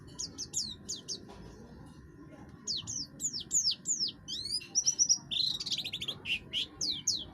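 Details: Harsh-voiced buxtoni oriental white-eye in captivity, song meant to provoke others to sing; a few high chirps, a pause, then varied down-slurred notes, a brief trill and buzzy phrases.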